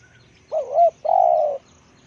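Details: Spotted dove used as a decoy bird, noted for its deep voice: a low, mellow two-part coo, the first note wavering and swelling and the second a longer steady hum, over a quiet background.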